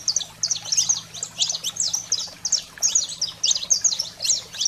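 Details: Canário-da-terra, or saffron finch, in wild-fire style song meant to stimulate pet canaries: energetic clusters of shrill chips and slurred notes, pausing briefly between bursts, a low electrical hum in the background.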